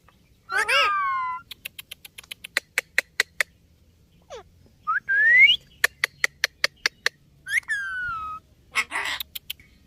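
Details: Ringneck talking parrot alternating rapid click trains with warbling, harmonic speech-like phrases and a sharply rising squeak, ending in a raspy, noisy burst.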